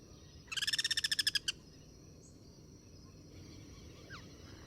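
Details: A Guira cuckoo in the wild, cross-singing: one brief rattle of about a dozen rapid, even pulses lasting a second, then quiet with a steady high insect hum and a faint distant note.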